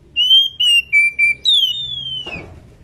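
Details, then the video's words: In breeding condition, a female Oriental magpie-robin calls its companion with four short clear whistles, each slightly lower, followed by a longer whistle that slides gently down and then fades into a soft rustle. "burung Kacer betina gacor birahi memanggil temannya"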